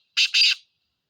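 A black francolin gives two quick, harsh, grating notes, the second longer and rasping, in about half a second. No other sounds are heard.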